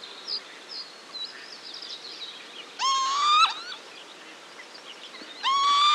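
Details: A pair of northern lapwings give two loud, wheezy, rising 'pee-wit' alarm calls to their young a few seconds apart, with faint twittering of smaller birds in the background.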